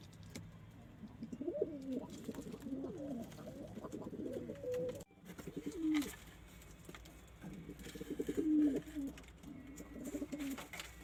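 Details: Pigeons from a domestic loft give repeated rolling coos, low and bubbling with a slight upward lilt at the end, broken by a brief silent cut midway and light scuffing noises.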